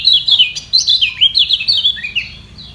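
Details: Competing yellow white-eye, defending its high perch through a contest of song: continuous thin, high chattering twitter of quick up-and-down slurs, loud and unbroken for nearly three seconds.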